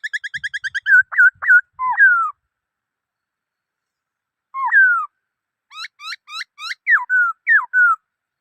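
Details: A black-throated laughingthrush sings a rapid series of ringing notes that speeds into loud, twisting, falling whistles. After a pause comes one drooping whistle, then a lively run of varied slurred whistles.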